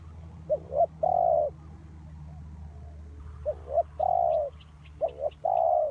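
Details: Spotted dove cooing as a lure bird for trapping wild doves. Three phrases, each a quick pair of short notes followed by a drawn-out mellow coo. Faint higher ticks and a low background hum are also heard.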